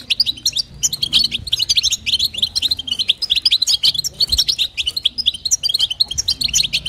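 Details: Female European goldfinch calling to stimulate the male; a dense, continuous stream of high tinkling, twittering notes and quick chirps throughout, with faint low background hum.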